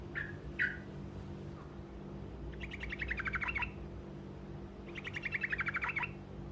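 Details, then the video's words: Truco, a short rolled song used to make other birds answer: two brief upslurred notes, then two rapid trills of about two seconds each, each a fast string of bright chirps, over a steady low hum. "Suara Burung Truco Ngerol Pendek Dijamin Pasti Nyaut"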